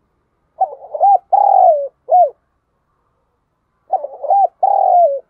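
A Spotted Dove gives soft, low coos that end in a long drawn-out note, a call used to lure wild doves.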